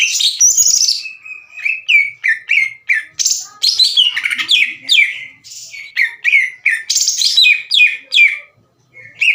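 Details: Aggressive greater green leafbird, kept as a songbird, belting a fast, loud series of downslurred whistles and chattering notes about three per second, challenging rivals to fight.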